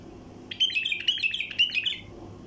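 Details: Wild bulbul flight call used to lure bulbul flocks in passage: an energetic, chattering string of sharp high notes and short buzzes lasting about one and a half seconds, with low hum in the background.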